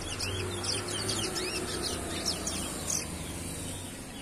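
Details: A young chestnut-bellied seed finch delivers a fast jumble of high sliding whistles against loud, continuous background noise, the singing keeping on regardless of the surrounding commotion.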